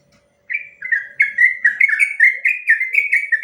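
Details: Long ropel song of a sooty-headed bulbul, recorded as master material for teaching other birds. Quick, ringing whistled notes tumble downward and repeat about twice per second, building in strength, with a faint steady hum underneath.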